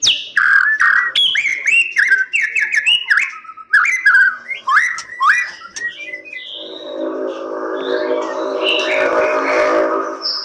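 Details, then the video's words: White-rumped shama in captive breeding singing a rapid run of varied whistled phrases with sharp upslurs and quick note changes, followed in the last four seconds by a dense, noisy rushing sound with only faint whistles. "Murai Batu Di Penangkaran"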